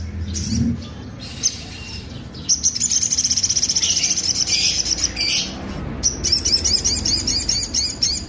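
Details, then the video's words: Sunbird giving rough notes: a long, dense, buzzy high trill of rapid pulses, broken by a pause and followed by a jerkier twittering run. "sogon suara tonjolan kasar"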